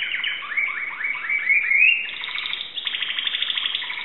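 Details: Timbrado canary in Greece singing quick rising, repeated notes that merge into a long, even, metallic rolling trill.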